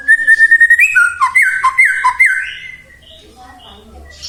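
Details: Song of a white-rumped shama, played to spur other shamas to sing: fast pulsed notes, then loud slurred whistles that drop and rise in a repeated pattern, fading into quiet scratchy notes.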